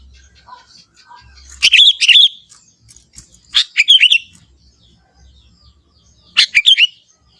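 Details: Young sooty-headed bulbul in forest, natural unembellished song: three brief bubbling phrases of a few warbled notes each, spaced roughly two seconds apart, with silence between.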